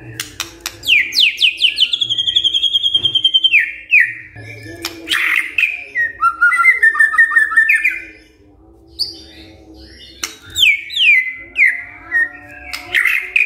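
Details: White-rumped shama singing loudly and continuously, described as singing well: rapid descending whistled notes, a long buzzy trill, varied warbled phrases, a brief pause, then more falling whistles; a faint low hum beneath.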